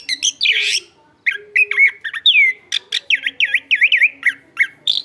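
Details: Caged Chestnut-capped thrush in full song, used as a song tutor, singing a fast, varied song of rich whistles, rising and falling slurs and buzzy notes, delivered in quick bursts without pause.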